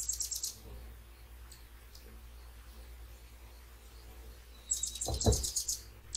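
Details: Early-morning hummingbirds stopping for a sunrise sip at a feeding spot with a circulating fountain and birdbath; rapid bursts of high, sharp twittering chirps at the start and again near the end, with a low thud among the later burst.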